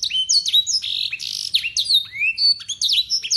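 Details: Yorkshire canary, local strain, delivering clear blackthroat song phrases meant for mastering young canaries: dense high trills, buzzy rolls and falling whistled slides strung together without a break.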